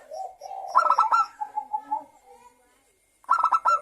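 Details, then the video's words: Local zebra dove singing as a lure to prompt other doves to sing: soft purring coos followed by a burst of rapid, rattling, clipped notes, then a pause and another rattling phrase. "perkutut lokal gacor suara pancingan perkutut agar bunyi"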